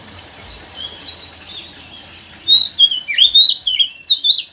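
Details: Oriental magpie-robin song meant to stir a reluctant bird into singing: after soft background chatter, a burst of loud, quick whistled notes and sharp chirps follows, with low rumbling noise throughout.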